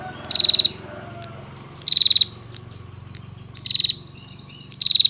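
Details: Female bar-winged prinia giving its long trilling lure call for males. Four fast, pulsed, buzzy high trills come at intervals of about one and a half seconds, with a few faint ticks between them.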